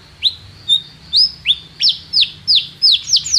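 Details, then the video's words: Canary singing for training a young canary: spaced downward-sweeping whistled notes, about three per second, with a low background hum. "canário cantando - professor para o treinamento do seu filho canário"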